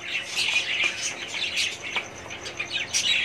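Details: Budgerigar colony kept for breeding, 2017: high, bubbling chatter of numerous birds, rapid chirps and short whistled notes layered densely, with faint wing flutters.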